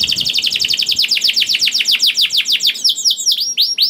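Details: Singing canary, played to trigger song in other canaries: a rapid rolling trill of bright downslurred notes that slows into a few separate, widely spaced swooping whistles.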